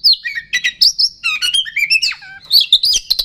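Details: Oriental magpie-robin, a provoking lure song meant to make rival birds agitated: a fast, varied stream of sweet whistles, chirps and twittering notes bursting in quick succession, loud and continuous.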